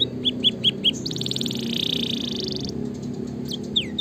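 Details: Vigorously singing (gacor) canary, a tutor and stimulation recording meant to get lazy canaries singing: four quick bright chirps, then a long buzzy high trill that softens and fades, ending with a couple of sharp falling notes over low background hum.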